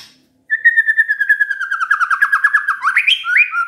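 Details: White-rumped shama lure song to draw answers from other shamas, with a steady chattering trill of fast repeated notes that slowly drops in pitch, then breaks into two upward-sweeping whistles.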